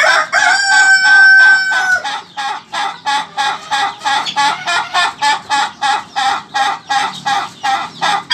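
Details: Ayam ketawa (laughing chicken) crow opening with a drawn-out, level ringing note of about two seconds, then breaking into a rapid string of short laughing syllables, around three per second.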